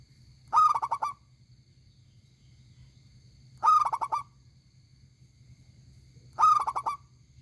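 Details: Actively singing local zebra dove with a big, loud voice: three evenly spaced bursts of rolling, bubbling coos, roughly three seconds apart, with a faint low hum between them.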